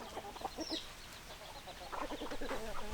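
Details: Low, soft clucks from chickens, short gulping notes in uneven bursts, quieter in the middle and busier toward the end, over a faint background hiss.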